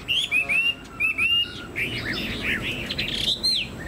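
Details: Caged Chinese hwamei, a songbird kept by Vietnamese bird keepers, delivering short bright whistled phrases, some rising and slurred, with brief pauses, then a denser run of warbled notes near the end.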